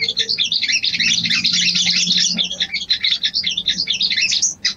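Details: Mating call of a female sooty-headed bulbul summoning a male: a rapid jumble of sharp, high chirps, about three per second, ending in a short pause.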